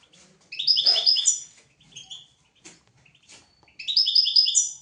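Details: Song of a European goldfinch, recorded for teaching goldfinches and canaries: two fast, liquid trilled phrases of rapidly repeated high notes, separated by a few isolated chirps and faint clicks.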